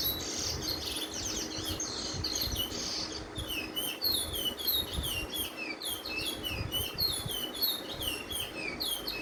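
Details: A Lesser Seed Finch sings the local Trinidad and Tobago bullfinch roll: a fast, steady run of sweet, high, down-slurred whistled notes tumbling one after another, over a low background rumble.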